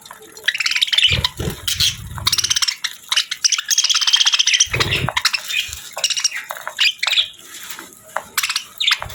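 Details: Pet budgerigar warbling continuously in a dense, scratchy chatter of quick chirps, squeaks and clicks, broken by brief pauses, with occasional low thuds of movement in the background.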